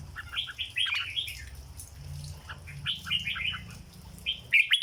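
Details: Red-whiskered bulbul, a cage bird, singing 'dok' song: rapid clusters of warbling whistled notes, a quieter middle stretch, then a loud sharp phrase to close, with low rumbling background.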